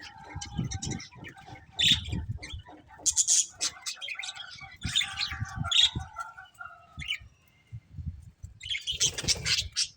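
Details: Pet budgerigars making scattered chirps, squeaks and short whistles between pauses, with a steady low hum, some thumps, and a loud burst of harsh chatter near the end.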